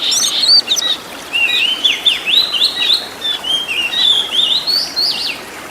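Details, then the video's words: Master song of an Oriental magpie-robin for training caged birds: a run of looping, sliding whistles rising and falling in a wavy line, given in short phrases with brief gaps, plus a harsh scratchy burst at the start. "MASTERAN BURUNG KACER FULL ISIAN TEMBAKAN MEWAH LENGKAP"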